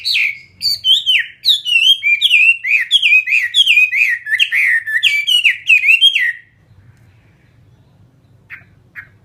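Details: Caged fighting Chinese hwamei sings about six seconds of loud, descending-then-rising whistles in a steady series of similar phrases, then falls silent apart from a few faint distant notes.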